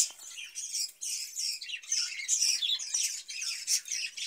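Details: Budgerigars kept in a cage chatter in high squeaky warbles, with quick chirps and short whistled notes tumbling over one another in uneven bursts.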